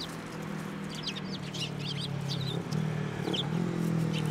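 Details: Eurasian tree sparrows coming to a hand for food at a Tenmangu shrine, 9 December 2023; quick bursts of sharp, high chirps over a continuous low engine-like hum.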